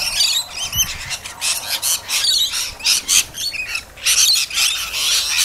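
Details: Rainbow lorikeets at a caravan park in Herberton give a constant stream of harsh, high screeches and shrill chatter, several birds calling over one another in rapid bursts in excitement.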